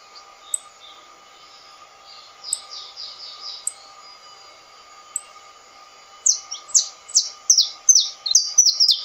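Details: Soft, quiet high phrases from a saffron finch, locally canário-da-terra, give way after six seconds to a loud rapid sequence of sharp descending chirps; a faint continuous hum lies beneath.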